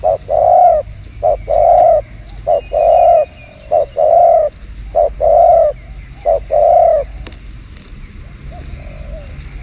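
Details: Spotted dove calling behind house plants, used for luring: five paired coos in a row, each a short soft note followed by a longer drawn-out mellow coo, about one pair every 1.2 seconds. The last couple of seconds are quiet.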